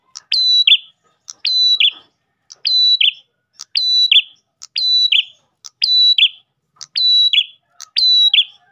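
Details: Energetic Ash tailorbird song used to call in other tailorbirds. Eight evenly spaced phrases, each a sharp tick, a flat high whistle and a descending buzzy note, in near silence.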